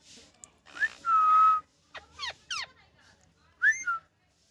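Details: Pet ringneck parakeet, a rescue bird from India, in a happy mood: a drawn-out steady whistle, then a burst of three or four quick rising squeaky sweeps, ending with a shorter whistle.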